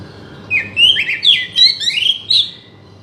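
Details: Oriental magpie-robin song for provoking a non-singing bird: a quick two-second phrase of slurred, sweet whistles and short warbles, over a faint low hum.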